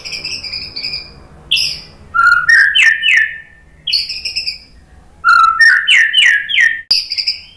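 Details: White-rumped shama singing to provoke other birds: high thin whistled notes alternating with loud rapid series of sliding chirps, the pattern repeated twice with short pauses.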